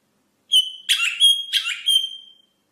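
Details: Rosella singing a clear, sustained high whistle, broken by two rougher, buzzy bursts, with the pure whistled tone returning between them and trailing off at the end.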